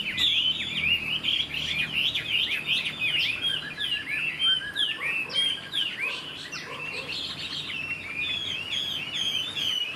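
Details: Caged Chinese hwamei, a young bird of this year described as high quality and singing well, delivering a fast, varied stream of warbled, slurred whistles and rapid chirps, continuous for ten seconds.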